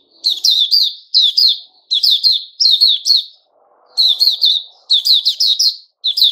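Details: White-rumped shama in opening song ("buka"), 29 August 2021. Strongly repeated bursts of high, bright notes come roughly every 0.7 seconds, with one brief gap and a faint low rustle.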